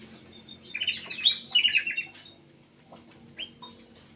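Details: Black-capped bulbul in an aviary giving an energetic song: a dense burst of chattering, whistled notes for about a second and a half, then a pause and a few separate rising whistles.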